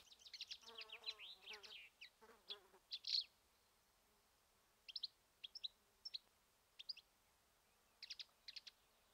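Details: Black-eared wheatear (Oenanthe hispanica) near Ermita de la Virgen de la Sierra, Cabra, Andalusia, Spain: a fly buzzes loudly near the microphone at first, then short, sharp, high chirps come in small clusters every second or so.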